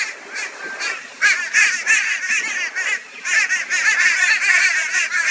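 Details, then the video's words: A flock of crows in Brisbane, Australia, on 22 February 2022, join forces to torment a barn owl. They give loud, raucous, harsh nasal calls in overlapping bursts, with short pauses between waves of calling. "Crow Reacts to Barn Owl with High Volume Raucous Noise"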